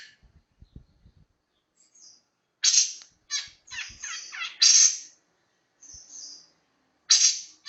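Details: Long-tailed shrike song in the 'roll speed rapat' style, heard here as scattered bursts of harsh, scratchy chatter split by silences, with faint low knocks at the start.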